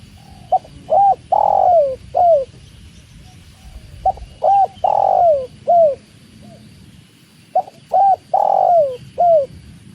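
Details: Spotted dove (tekukur) with the sound of water, calling three times at steady intervals of about three and a half seconds, each phrase a short note, a hollow coo, a long sliding croo and a clipped finish.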